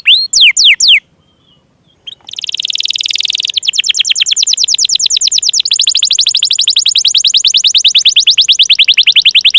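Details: Canary song used to coax stalled, reluctant and young canaries into singing: a few high downward-sweeping whistles, a brief pause, then a long buzzy trill followed by a rapid, steady rattle of repeated notes.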